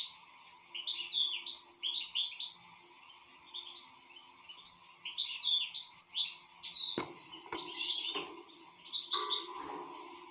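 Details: European goldfinch in good song, giving rapid twittering phrases of chirps and slurred notes; near the end a few sharp knocks or clicks interrupt between bursts, over a low hum.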